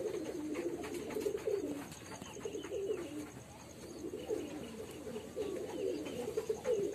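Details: Male house pigeon cooing: low, throaty, rolling phrases that swell and fade roughly every second or two, almost continuous across the recording, with faint hum behind.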